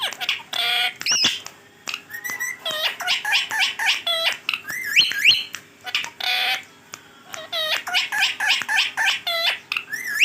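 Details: Pet green Rose-ringed parakeet talking nonstop, rapid raspy speech-like syllables mixed with squeaky, bending whistles in continuous bursts.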